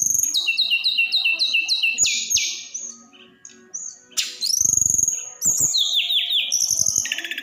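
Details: 'Roll tembak' song of a snowy-browed flycatcher, used to provoke other birds: quick descending whistled notes repeated several times, a pause, then piercing rising whistles and scratchy twitters, with soft low thuds underneath.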